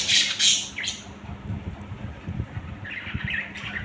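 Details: Two loud, grating squawks open the recording of pet budgerigars, followed by quieter, softer chattering calls near the end, all over a low steady hum.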